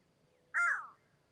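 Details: Crow cawing back after a person imitates its call outdoors: one harsh, hoarse caw, slightly falling at the end, with quiet surroundings.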